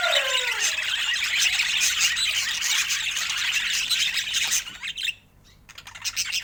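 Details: Pet budgerigars chattering: a dense, busy stream of high squawks and chirps that runs without a break for about five seconds, then drops away to near quiet at the end.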